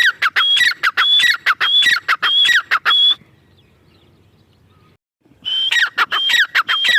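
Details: Grey francolin female calling: repeated harsh phrases of a high whistled note dropping into a squeal, about twice a second, with a silent break before the calling resumes.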